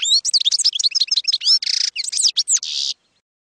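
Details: European goldfinch in wild-type field (campero) song, recorded for training young goldfinches: a fast run of bright twittering notes and slurred chirps, broken by two short buzzy trills, then silence.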